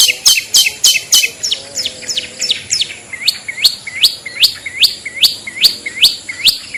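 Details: Shrike-luring call of the long-tailed shrike, a clean 'toet toet': a rapid burst of sharp notes at first, then a steady line of hooked, upward-curling whistles repeated about twice per second.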